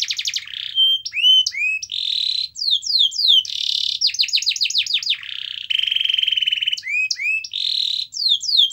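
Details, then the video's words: Canary singing vigorously, used to prompt other canaries to sing: a fast continuous run of varied phrases, rapid rising sweeps, buzzy trills and rolled notes, plus sustained ringing tours, with no pauses. "Kenari Gacor Dor Pancingan Kenari Yang Lain Agar Bunyi"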